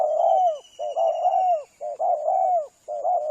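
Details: Spotted doves' cooing on a hunters' lure call: nearly continuous overlapping mellow coos, each ending in a falling slur, with short gaps, accompanied by a steady thin high whine and a fainter higher tone.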